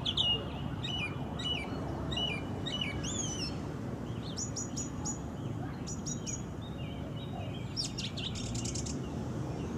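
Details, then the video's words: Wild orange-banded thrush (anis cendana) song with varied phrases: twisting whistles and rising slurs, then crisp clicking notes and a dense buzzy burst near the end, over constant low background hum. "Anis Cendana Kicau Isian Liar"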